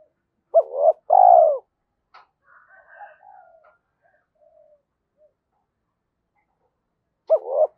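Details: Spotted dove kept as a decoy to stir wild doves to coo. A short hoot and a long mellow coo are followed by faint soft murmurs and quiet, then another short hooted note near the end.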